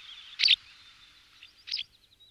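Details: A White Wagtail (Motacilla alba) in Alamillo Park, Seville, Spain, gives two sharp, high chirps about a second apart over a faint steady hiss.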